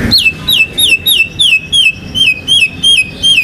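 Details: White-rumped shama, a national contest champion, repeating one descending slurred whistle about every third of a second, each note dropping steeply then leveling off, in a steady, rapid series.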